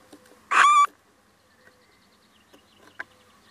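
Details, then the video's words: Visiting male little owl utters one short call, a raspy burst that ends in a clearer, slightly rising whistled note, then near silence with a few faint ticks. "Mannetje steenuil komt even buurten"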